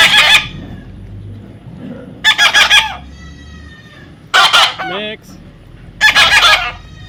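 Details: Baby parrot during taming giving four grating, pulsed squawks spread over seven seconds, with a brief wavering whistle-like note after the third.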